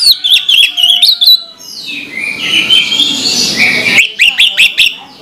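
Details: Orange-headed thrush in morning song, opening with quick repeated whistled notes, then a stretch of noisy rushing sound before sharp chirps and whistles resume.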